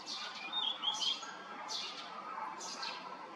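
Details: Male blue rock thrush giving its morning love call while brushing insects away, Yanagishima coast, Chigasaki, Kanagawa, Japan, 17 May 2023, filmed on a Nikon COOLPIX P1000; a few short, clear whistled notes, surrounded by rustling, broadband chirpy bursts.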